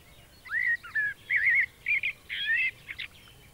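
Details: Common blackbird singing in spring in a garden: a run of mellow, fluty warbled phrases, each under half a second, closing with higher twittering notes over faint background hiss.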